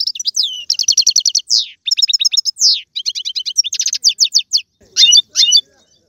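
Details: Algerian European goldfinch kept in a cage, singing in galoubi, serfati and tiouatie styles: near-continuous rapid trills of repeated high notes mixed with swooping slurred whistles and chattering phrases, fading to a couple of short notes.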